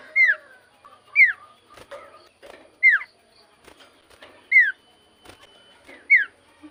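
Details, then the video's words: Energetic common iora song made of clear down-slurred whistles repeated about every second and a half, with soft lower notes and faint clicks between them. "BURUNG CIPOH GACOR SEKALI"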